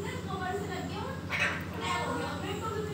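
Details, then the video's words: Talking parrot imitating human speech with the Hindi phrase "Mummy ka beta hu main", producing voice-like harmonic syllables in a steady, continuous stream for about three seconds, with a constant hum underneath. "Mummy Ka Beta Hu Main // Talking Parrot Video"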